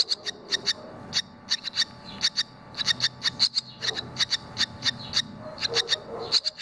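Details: Barn swallow chicks, two of which have just left the nest, one having flown and returned shortly after; rapid series of sharp, high chirps repeated in quick bursts throughout, with a faint low rumble beneath.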